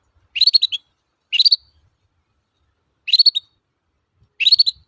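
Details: Long-tailed shrike lure song of the toet-toet style, meant to spur other birds to sing: four short, dense bursts of high chirping notes, each under half a second, spaced irregularly.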